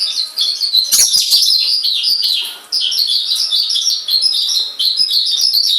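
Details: Tame white-rumped shama singing actively while loose outside its cage, calm and not flying away; a dense, continuous run of bright chirps and quick twittering phrases, with brief pauses near two and four seconds.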